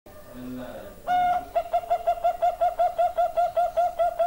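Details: Bangkok-type zebra dove singing sweetly: after a brief low murmur, a steady train of soft, evenly spaced cooing notes, about two and a half per second, over faint room hiss.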